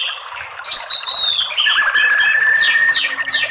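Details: Lure recording of a white-rumped shama, made to provoke rival males into fighting song. Varied whistles rise and fall, with a long flat whistle and quick sweeping notes near the end.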